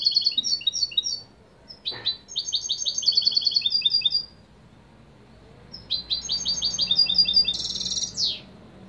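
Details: Spanish European goldfinch song: rapid bright twittering trills in quick bursts, liquid chirps strung together, then a short buzzy wheeze near the end, with quiet pauses between phrases.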